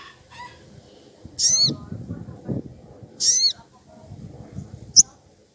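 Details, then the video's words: Wild sogon woodpecker, excited and calling a rival, used as a lure: two loud high, harsh, downward-bending calls about two seconds apart, then a short sharp note, over faint low rumbling background. "Sogon emosi cari lawan"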